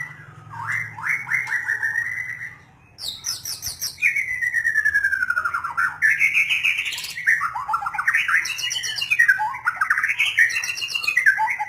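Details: A white-rumped shama sings long flowing phrases: looping whistled notes, a gliding descending run, then bright rising and falling warbles in near-continuous song, over a faint low hum.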